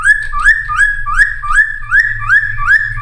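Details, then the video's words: Cucak timor whistling for luring and training newly caught birds: a steady series of rising whistled notes repeated about every third of a second, over a constant low hum. "Cucak Timor Gacor Full Isian MP3 Untuk Pancingan Burung Bahan"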